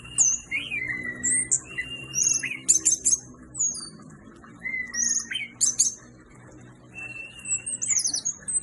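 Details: Orange-headed thrush (anis merah) singing vigorously, mixing level whistled notes with bursts of high twittering chirps and quick slurred phrases, repeated every second or two over a faint low droning hum.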